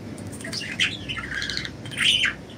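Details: Budgerigars flying free, giving short buzzy chirps and a bending, squeaky note, with a louder scratchy burst near the end over faint background hiss.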